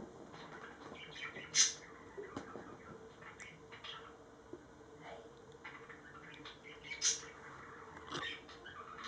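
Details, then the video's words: Two pet budgerigars smooching and kissing inside their cage in the evening; quiet scratchy chatter and soft ticking, broken by two sharp, bright clicks roughly five seconds apart, with faint room hum underneath. "My budgies smooching and kissing"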